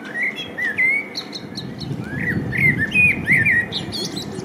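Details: A male common blackbird sings in spring, filmed with a Panasonic LUMIX DMC-FZ1000: short, liquid, fluting warbles in quick succession, rising and falling, mixed with squeaky high chirps above and a faint low hum.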